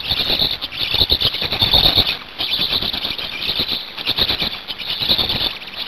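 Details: Black storks in Hungary being fed at the nest on 5 May 2019, 17:02; shrill wheezing squeals come in uneven bursts, briefly easing around the middle, over rustling and sharp tapping noises.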